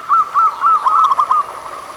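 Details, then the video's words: Local zebra dove (perkutut lokal) song, used to prompt reluctant doves into singing: a crisp run of about seven short, clear, rising-falling coos in under two seconds. "Pancingan Suara Burung Perkutut Lokal"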